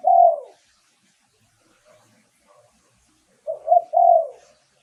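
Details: Spotted dove decoy song, clear and used to attract wild doves. A long coo closes one phrase. After a pause comes a full three-note phrase: a short note, a rising coo and a drawn-out low ending. The background is nearly silent.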